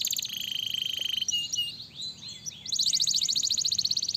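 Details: Singing canary, played to encourage other canaries to sing, delivers a fast even trill, a brief warbled twittering passage, then another rapid pulsing trill of bright high notes.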